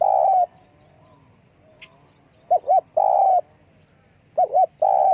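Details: Spotted dove calling with wing flapping: a mid-pitched drawn-out coo, then a pair of short quick coos and another long slurred coo, repeated twice within five seconds in a quiet setting.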